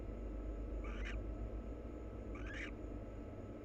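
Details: Pair of wild barn owls preening one another. Two brief raspy notes with an upward sweep, about one and a half seconds apart, over constant low humming noise.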